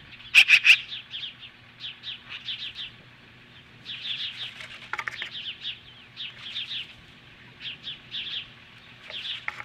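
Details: Osprey defending its Montana nest from magpies, mid-morning July 15, 2015: steady stream of high whistled chirps in repeated bursts, opening with a few loud harsh notes and a brief rasping sound near the middle.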